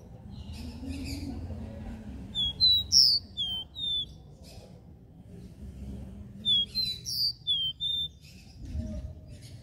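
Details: Regional 'Dó Ré Mi' three-note song of a capped seedeater. Two phrases of pure, high whistled notes are each delivered in quick succession, some steady and some dipping. A soft low hum runs underneath.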